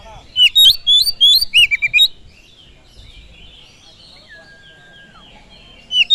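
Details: Oriental magpie-robin song played to provoke other birds into singing: a rapid two-second burst of loud, slurred whistles rising and falling, then quiet with a faint long descending whistle and one closing note.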